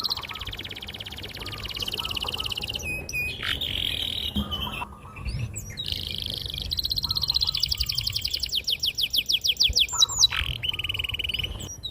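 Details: Canary in long rolling gacor song, used to coax young canaries into singing: moderately soft sustained trills, occasional upswept notes and a long rising run of rapid repeated syllables with faint lower chirps.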